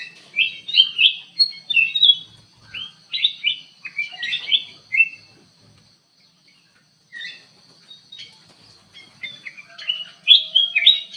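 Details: Kutilang emas bulbul singing actively inside an aviary: bursts of quick, liquid whistled notes delivered in clusters, a long near-silent pause mid-way, then renewed rapid warbling at the end.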